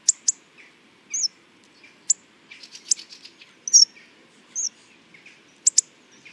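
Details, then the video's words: Hawfinch giving sharp, very high ticks and brief squeaky chirps, spaced irregularly about once a second, with fainter twitters in the background. "Der Gesang des Kernbeissers"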